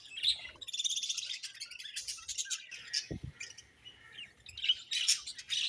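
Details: Budgerigars twitter in a busy, high-pitched chatter of buzzy warbles and sharp chirps, with one brief low thump partway through.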